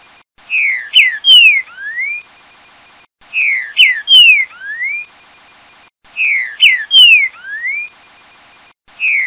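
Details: Green-winged saltator singing the tel tel fiu boi song type, clear whistled phrases of two descending slurs, a sharp downslur and a final upward sweep, phrases recurring roughly every 2.8 seconds with near-silent gaps between.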